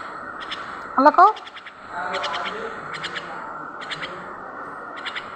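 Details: A pet common myna, prompted by a person's voice to say words like "baba" and "Allah", gives a loud, wavering, speech-like phrase, then softer chattering notes and short raspy bursts.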